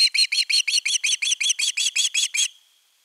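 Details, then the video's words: Calling long for fish, an Osprey at nest 3 on 10 August 2021 gives a rapid run of about thirteen piercing whistled chirps, evenly spaced, then falls silent. "Myy huutaa pitkään kalaa"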